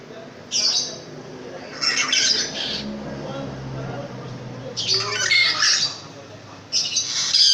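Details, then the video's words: Caged long-tailed shrike, described as loud and very vocal, giving repeated harsh, scratchy squawking bursts in clusters separated by pauses of about two seconds, with faint low voices and room sounds underneath. "BURUNG PENTET RAJA SUPER GACOR"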